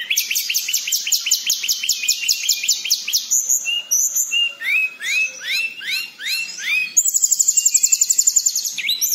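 A blue flycatcher pours out a long, high, rolling song of fast repeated ticking notes and upslurred whistles, changing phrase every second or two.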